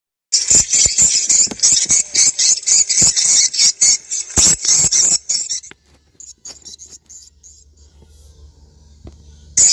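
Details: Swiftlet call for testing a site in South Kalimantan, played from a phone or portable speaker in the morning or evening: rapid shrill chirping pulses, about four per second, for six seconds, then near silence with faint scattered chirps.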